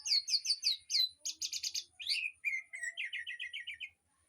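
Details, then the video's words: Birds singing in an aviary as master song for a white-rumped shama: varied whistled phrases, a burst of rapid buzzy notes, then a stuttering series of lower notes repeated quickly. "Suara Burung Di AVIARY//Untuk Masteran Murai Batu"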